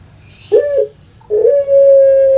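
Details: Kept puter pelung dove, a breed well known in Java, Indonesia, giving its long-voice coo: a short clipped note, a pause, then a steady low drawn-out tone held for about a second.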